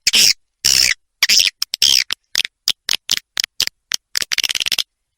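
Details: Swiftlets on a 'ratu birahi' roosting-call playback used as a lure: a few buzzy chattering bursts, then spaced short sharp chirps and a fast clicking rattle before going quiet.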